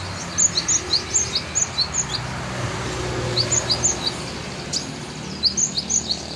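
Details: Sunbird known as kolibri ninja singing for tutoring: neat runs of sharp, high chip notes at about three per second, pausing and resuming, against a hissy, noisy background.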